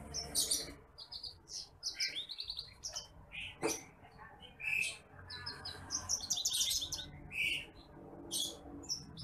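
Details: Bush lark, a seed-eating rice-field bird that nests on dry paddy ground, singing in the apung (titimplik) style used to train other birds: a continuous medley of thin, high chirps, buzzy trills and quick twittered phrases over a low rumbling background.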